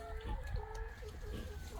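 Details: A chicken on a farm in Selah, Washington, on a wet, cold, dark December morning gives a soft, low purring trill in short repeated bursts, a different noise from usual, over a steady low background rumble.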